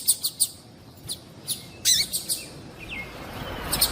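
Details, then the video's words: Female double-collared seedeater call used to excite a male to sing: quick high chirps and clicks, a short cluster of loud notes midway, then a thin falling whistle and soft hiss. "MELHOR PIADO DE FÊMEA DE PAPA CAPIM PARA DEIXAR SEU PAPA CAPIM DOIDO PARA CANTAR LOGO !!"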